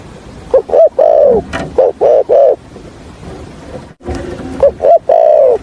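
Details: Spotted dove kept as a trapping decoy, giving its calling and stuttering coo in the hạp bổi voice style: short hooting notes in quick pairs, then a longer drawn-out coo, a pause, and another burst of clipped coos.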